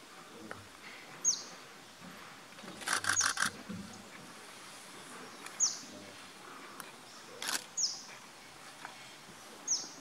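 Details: Male crimson-backed sunbird at Ganeshgudi, Karnataka, India, in January 2016: thin, very high, falling tsip notes spaced a few seconds apart, over faint background hiss and a couple of brief rustling bursts.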